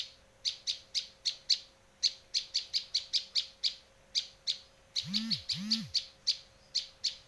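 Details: Lure and tutor recording of a Bar-winged prinia in Indonesia: evenly spaced sharp high chips, about three each second, interrupted near the end by two low, arching whooping sounds, then the chipping continues.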